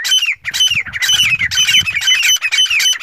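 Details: Francolin (teetar), a male calling to a female: loud, harsh, squawking phrases with slurred descending notes, repeated rapidly and almost continuously, with some low rumbling in the background.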